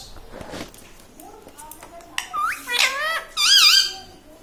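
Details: Parrot mimicking speech such as mummy, papa and radhe radhe: quiet rustling at first, then rising squeaky syllables building to a loud, wavering, high-pitched phrase near the end, indoors.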